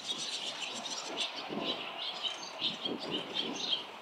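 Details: Many barn swallows fly along a street of nests during a lively fledging, with parents and other young birds coming close. Quick, high chirps repeat irregularly over a low rumbling background noise.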